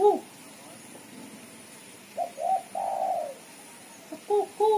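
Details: Female spotted dove giving a chattering lure call: a brief arched coo, pause, then two short rising notes leading into a long level coo, followed by doubled arched notes at the end.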